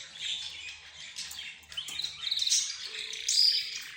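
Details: Pet birds chattering together: budgerigars, zebra finches, a rose bird and a canary. Soft warbling chatter builds into louder, brighter chirps, ending with a sharp high whistle.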